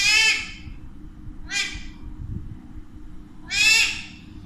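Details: Pair of pet Alexandrine parakeets, described as talking in Urdu and Hindi. Three loud, rasping screeches each last about half a second, the last the longest, with quiet room hum between them.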